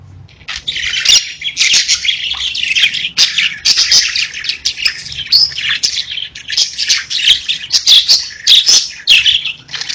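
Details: Domestic parakeets chirping: after a quieter start, a flock of budgerigars bursts into fast, irregular high chatter of squeaky notes and clicks, roughly a hundred bursts a minute.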